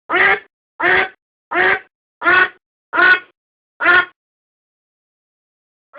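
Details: Quacks of a domestic duck captured as decoy sound: six loud, rasping calls spaced under a second apart, then a pause before one more quack begins at the very end. No other sounds.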